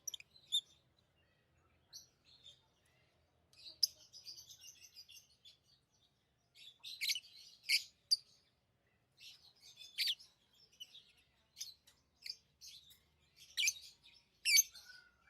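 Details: Tame lovebirds chirping over a longer stretch: sparse faint notes at first, then busier runs of high, sharp chirps and scratchy twitters, loudest bursts coming in the second half.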